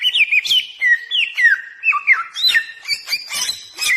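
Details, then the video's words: Samyong, the bare-throated whistler, singing for luring other birds: clear whistled phrases that dip and rise, some ending in a downward slur, mixed with crisp ticking notes near the end. "suara burung pikat samyong Gacorr, cocok buat pemanggil"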